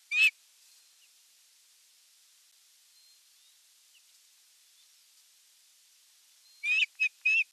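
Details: Osprey calling at the nest at evening feeding time, 30 June 2022, nest camera: one sharp whistled note, a long quiet pause, then a quick burst of three high piping notes.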